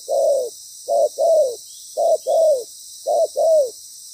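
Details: Loud-voiced decoy spotted dove used for ground trapping, giving clear two-note coos, a clipped note then a longer downslurred one, three pairs in four seconds over a faint steady hiss.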